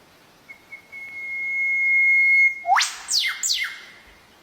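Eastern Whipbird: a long, pure whistle held steady for two seconds, then a sharp rising whipcrack followed by two quick descending snaps.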